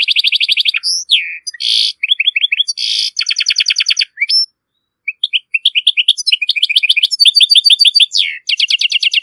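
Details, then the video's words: Strong European goldfinch song from Morocco used to tutor goldfinch and hybrid chicks; dense twittering with buzzy rasping bursts, a short pause around five seconds, then rapid rhythmic chirp series and a downslurred note. "ساعة من تغريد الحسون القوي و الممتاز و الخالي من لاخطاء لتسميع فراخ الحسون و الهجين"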